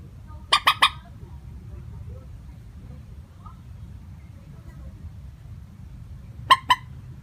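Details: Trapping lure call of a common moorhen, unvaried in tone: a quick burst of three hard, clipped notes, a long pause with faint low rumble, then two more sharp notes.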